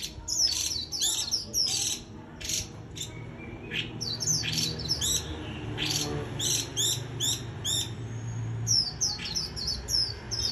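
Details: Japanese white-eye in líu choè song style: lively, continuous high-pitched chattering with rapid trills and sliding whistled notes, delivered in tight clusters, over a soft low hum.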